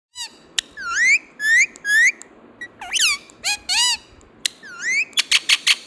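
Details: Pet green Indian ringneck parakeet, a talking bird, makes a run of sharp rising whistles, swooping slurred notes and clicks, ending in a quick burst of squeaky chirps.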